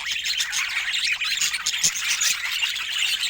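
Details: Several pet budgerigars squawking and chirping at once, a continuous high, scratchy twitter.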